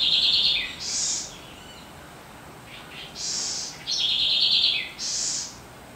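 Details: Corruíra, the Southern house wren (Troglodytes musculus), in loud, vibrant song: a fast buzzy trill falling at its close, followed by bright high hissing notes, then another rattling trill and a further high burst, all crisp against a quiet background.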